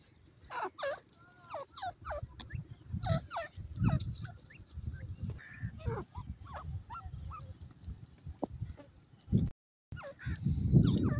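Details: Young grey francolins peeping: irregular high, down-slurred chirps, some in quick pairs, spread across the recording over steady low-pitched background noise with a brief dropout near the end.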